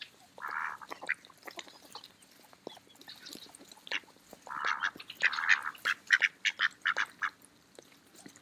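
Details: Mallards eating in the park in autumn: a few long harsh quacks, then a fast run of short clipped quacks building toward the end.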